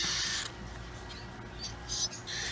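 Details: Raspy, breathy hissing from a young cockatiel being hand-fed in a pet store, short noisy bursts returning several times over a couple of seconds.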